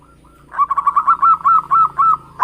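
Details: Local Javanese zebra dove singing a lure song for trapping: about ten evenly spaced, rounded coo notes rising slightly in pitch, after a faint opening note, over low hum.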